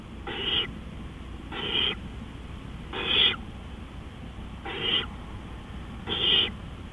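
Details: Owl recorded at night, 3:15 AM on 20 April 2013: five brief rasping screeches repeated about every one and a half seconds, noisy and breathy, over a faint continuous hum.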